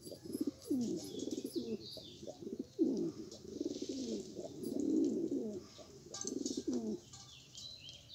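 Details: Rare pigeons described as Australian, with low rolling coos that rise and fall in pitch in repeated bursts through the clip, separated by short pauses. Faint higher chirps are heard in the background.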